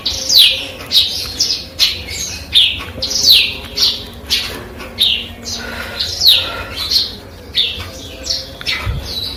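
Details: A Eurasian tree sparrow, schooled in canary and cigun song, repeats shrill falling chirps in lively clusters every second or so, high and piercing, with a soft steady hum beneath.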